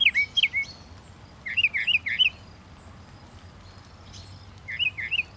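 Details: Northern mockingbird song in bursts: a wavering, looping whistled phrase given three or four times in quick succession, then silence, then the same phrase twice more.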